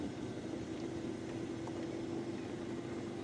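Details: Even vehicle engine drone with a steady low hum throughout.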